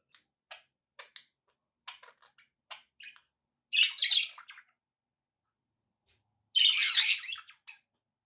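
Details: Budgerigars indoors giving short sharp chirps spaced through the first seconds, then two loud, harsh squawking bursts separated by a pause.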